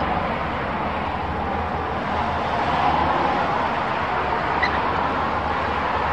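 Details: Steady, dense broadband roar like traffic or wind, with a low hum and only a faint brief blip near the end.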